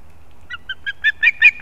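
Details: Osprey at a nest in an old leaning pine in Kurzeme, Latvia, recorded 11 September 2024 as chicks compete: a short rising series of sharp whistled notes, each louder than the last, six or seven calls within under two seconds.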